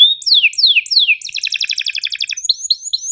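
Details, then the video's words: Canary singing a long, sharp 'cuit ngerol' style tutor song meant for reluctant singers and young birds learning: three loud descending whistled sweeps, then a fast buzzy trill and short high rising notes, no other sounds. "MASTERAN KENARI GACOR PANJANG EPS24 Cuit NgeroL TAJAM, Untuk Kenari SUSAH BUNYI & Paud belajar bunyi"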